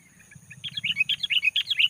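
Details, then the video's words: Sooty-headed bulbul singing loudly to lure and provoke other bulbuls: a quickening string of bright, bubbly warbled notes that builds from soft chirps into a steady run, with a low hum in the background. "SUARA BURUNG KUTILANG GACOR SUARA RAPAT"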